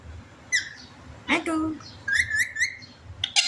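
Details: Pet parrot indoors in a small room, talking: short separate harmonic voice-like calls, one with a falling tail, then a run of three quick rising notes, ending in a sharp burst; quiet room hum behind.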